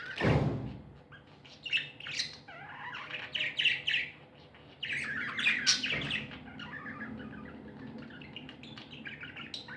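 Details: Happy pet budgerigars chirping: a thump at the start, then scattered short chirps and buzzy warbled phrases in bursts, with quieter gaps and a second knock midway.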